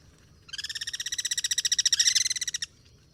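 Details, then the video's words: Guira cuckoo singing in the wild, part of cross-singing: a two-second train of nearly thirty rapid rasping pulses that swells louder toward the end before cutting off. "El sonido del Pirincho: Cantos cruzados y vida en libertad"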